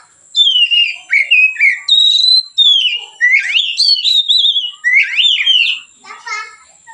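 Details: Continuous relaxed song of a white-rumped shama, used to train other birds: varied rich whistles, rising and falling slurs in quick succession, closing with a rapid buzzy stacked phrase; faint high steady hum throughout.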